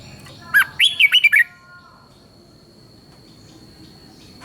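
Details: Red-whiskered bulbul, southern Thai master-style song for exciting other bulbuls and teaching young ones: a short rich phrase of five or six whistled notes rising and dipping, then a long quiet stretch with a faint steady tone.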